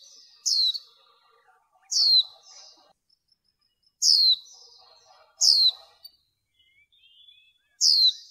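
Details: Female white-eye calling during bird training to stimulate males: five loud, high, sharply falling notes at uneven gaps of about one to two seconds, with faint soft twittering between them.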